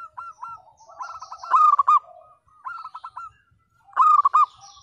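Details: Local zebra dove in full voice, a 'pecah' (split-voice) singer used to coax silent, lazy birds into singing: three bursts of rapid, rolling, throbbing coos, each a quick stuttering run of notes separated by short pauses.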